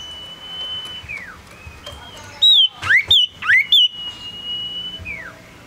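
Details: Male common iora, a tame small yellow bird, singing: long level whistles with falling ends bracket a burst of loud swooping notes, rising and falling, four in quick succession.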